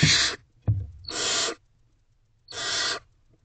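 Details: Barn owl owlets in a nest box at 1:47 am on 28 April 2023, stumbling over each other to get close to their mother, who may hold a mouse. Three harsh, broadband hissing screeches about half a second each, with a brief thump between.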